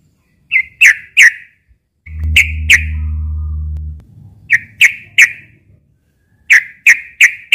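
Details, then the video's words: Fighting song of a sooty-headed bulbul in the daytime, used to draw and provoke young birds: clusters of two or three sharp whistled notes, with a low droning hum between them. "kicau trucukan gacor suara tarung di siang hari"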